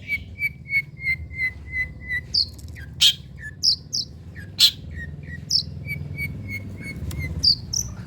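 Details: Long-tailed shrike on a lure recording for training silent birds: rows of short, even whistled notes on one pitch, repeated quickly, broken by sharp harsh bursts and high chirps.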